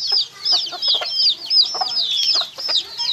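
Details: Close, loud peeping of baby chickens: shrill, rising-and-falling cheeps repeated almost nonstop, several birds overlapping, with light tapping sounds below.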